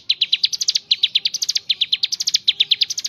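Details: Ciblek gunung, mountain leaf warbler, singing ngebren style: quick bright chirps grouped into short rising runs that repeat about three times a second, without pause.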